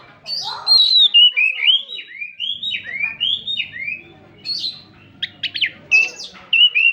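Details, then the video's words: Kacer, the Oriental magpie-robin, in energetic gacor song: a run of loud downslurred and upslurred whistles, then quick sharp chattering notes near the end. "Kacer Gacorrr || Menaikkan emosi dan birahi burung Kacer yang macet"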